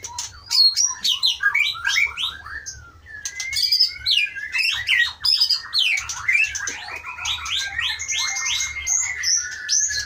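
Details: Caged Aceh white-rumped shama, taken from the Pining forest of the Leuser range in 2012 and held for breeding since 2017, pouring out a long energetic song of swooping whistles, harsh chatter and rapid trills.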